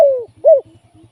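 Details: Single spotted dove decoy for trapping giving a brief pair of coos. The first is a long falling husky note and the second a short arched one. Faint low regular pulses run beneath.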